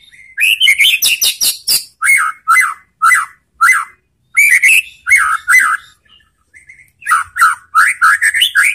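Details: White-rumped shama lure song meant to make other shamas respond fiercely; rapid clicking and rich whistled phrases, then repeated falling slurred notes, a short pause, and a final burst of varied warbled whistles.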